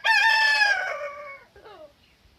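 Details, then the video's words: Morning rooster crow: a loud, rich, drawn-out note that slowly falls and fades over about one and a half seconds, then a shorter, quieter descending tail note. "Morning Rooster Crow"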